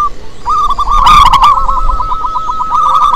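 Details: Zebra dove of a wild local strain in lively song, used as a lure: after a short opening note comes a quick rolling series of soft coos. A burst of sharp clicks sounds near the middle.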